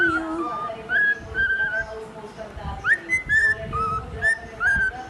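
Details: A male cockatiel whistles a learned tune, clear sliding notes near the melody of Happy Birthday, as someone sings Happy Birthday along with him.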